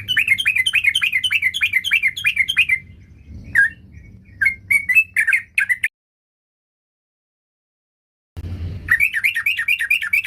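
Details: Sooty-headed bulbul in full song, seeking a rival: rapid strings of bright, slurred up-down notes in fast rolling series, broken by a few scattered single notes, a pause of silence, then the quick rolling phrase returns.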